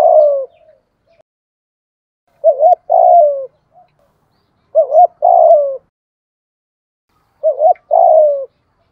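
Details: Spotted dove kept as a decoy bird to draw wild doves into cooing; phrases repeat about every two and a half seconds, each a brief warbled two-part note then a drawn-out descending coo, in a quiet setting.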